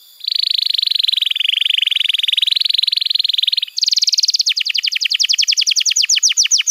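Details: Canary tutor song for young birds and non-singing canaries: a sustained buzzy rattle of rapid pulses lasting several seconds, then a quick, even trill of crisp falling notes at higher pitch.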